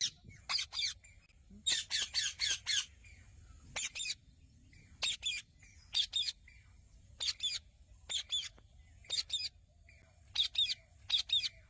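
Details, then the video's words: Indian ringneck parakeet calling: loud, harsh squawks in short bursts, some in quick runs of four or five, others single or paired, repeated irregularly over about twelve seconds against a low background rumble. "Ring Neck chamando"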